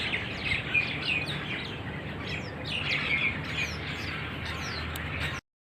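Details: A group of wild starlings, described as happy, in a date palm plantation in Oman: quick, high chirps and short slurred whistles come in bursts from several birds, with a faint low hum beneath.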